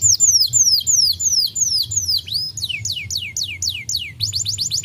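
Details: A caged canary sings in tours of high, downward-slurred whistles, about three a second, then a rising sweep and a fast run of sharp chirps.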